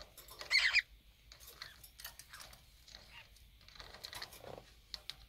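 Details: Conure couple squabbling while bathing in drinking water, 23 February 2019: one loud, grating squawk early on, then softer scratchy chatter amid splashing and tapping.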